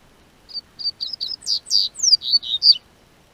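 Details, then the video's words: A captive-bred double-collared seedeater in southern Brazil, singing as the weather starts warming, gives about ten high, sharp notes that start spaced and quicken, then finish in bright down-slurred whistles; quiet background. "O Tempo Esquentou, COLEIRO Cantou"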